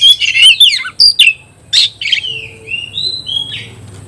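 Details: Oriental magpie-robin singing against a rival, opening with a fast tumble of buzzy whistles and chips, then slower long descending whistles fading out.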